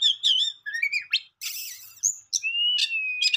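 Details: Songbird with short warbled phrases, a harsh hissing burst, then one long, steady, slowly falling whistle, followed by another quick chirp.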